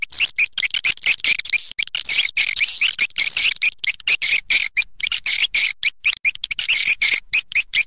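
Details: Edible-nest swiftlet roosting lure: steady, dense, high-pitched buzzy twittering chatter, chopped into short bursts by frequent brief clicks and gaps throughout.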